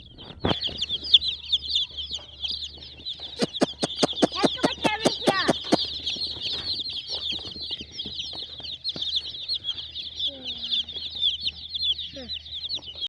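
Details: Hen chicks, colourful babies, keep up busy high peeping for the whole stretch; a rapid series of sharp ticking clicks breaks in midway, and a couple of short lower squeals come late.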